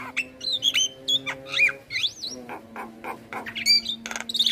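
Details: Javan myna singing in a master recording: wavering whistled slurs and sliding notes over a steady low hum, broken by harsh short bursts.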